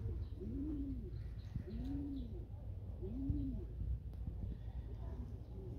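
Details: Loft pigeons cooing: three smooth, hollow, arching coos spaced roughly a second apart, over low background rumble and faint clicks.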